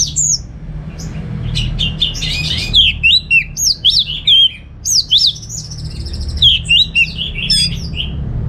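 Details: Caged orange-headed thrush from Singaraja, North Bali, giving a chattering receh song: dense, high, slurred whistles and twitters in bursts about half a second long, a continuous jumble with brief pauses, steady low background hum.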